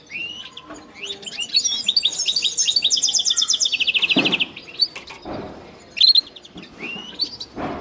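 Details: Mixed twittering from a linnet and canary hybrid builds into a long rapid rolling trill, followed by scattered single rising whistles.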